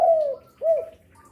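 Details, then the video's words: Spotted dove described as a lively, frequent caller through midday, afternoon and night, used to lure other doves; a clear coo falling in pitch, then a short arched note, in a quiet room. "Derkuku gacor rajin bunyi siang sore malam cocok untuk pancingan"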